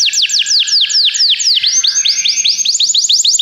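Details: Canary song meant to encourage a canary to sing, made of repeated high falling whistles in quick succession, shifting midway to upward-curving notes over a faint low background hum.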